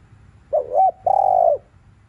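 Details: Spotted dove cooing in the afternoon in the thúc liu riu style: a short wavering note with a quick upturn, a brief pause, then a long, steady, mellow coo that drops away at the end. A faint low hum sits beneath.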